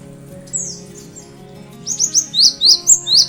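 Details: Cinereous tit song used to prompt other birds to sing. A faint whistle comes first, then a quick series of high, sharp, repeated two-part notes. A low steady hum sounds underneath.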